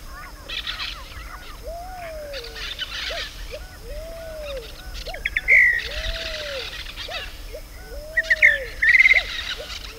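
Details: Pale-vented pigeon (Patagioenas cayennensis) in Costa Rica giving soft, hollow coos that rise and fall, repeated in a steady series, over a busy chorus of high chirps and trills from other birds.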